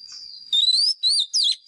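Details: Wild Oriental magpie-robin lure bird in fighting song, used for voice training: three loud, rich whistled phrases bending up and down, after a soft steady high tone.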